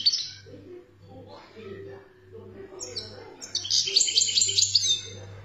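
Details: European goldfinch in Algeria giving 'khaloui' style song: a brief high twittering burst, quieter low chattering, then a loud run of quick, tinkling high notes; steady low hum throughout.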